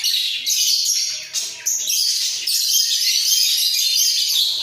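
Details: Two caged budgerigars in a breeding setup bob their heads as they produce an unbroken, high-pitched, scratchy warble dotted with squeaky whistles.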